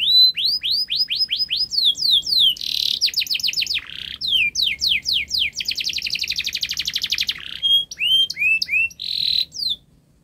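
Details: Canary in full song, recorded to encourage silent canaries to start singing: varied phrases of repeated upslurred notes, harsh buzzy bursts, a long rapid rolling trill and closing whistled sweeps.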